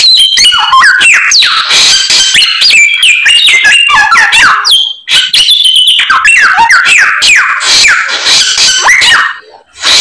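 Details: White-rumped shama (samyong) in full voice, singing with its complete repertoire of mimicked phrases: a loud, nonstop stream of varied whistles, rapid slurred notes and sweeping trills, with barely a pause.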